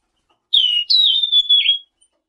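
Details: A selendang biru bird whistles a continuous bright phrase about one second long, sliding down, leaping higher, then holding a steady tone with a final dipping flourish, in a quiet setting.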